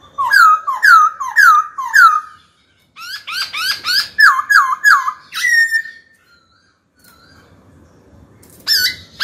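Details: A trained white-cheeked laughingthrush sings a sharp competition song: loud, clear whistled notes slurring downward, about two per second, then a burst of rapid chattering notes, closing with a brief whistled phrase.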